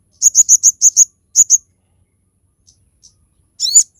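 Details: Crested jay (sogon) song kept as a lure and training recording: a quick series of six high chirps, two more after a pause, then one rising buzzy note, quiet otherwise.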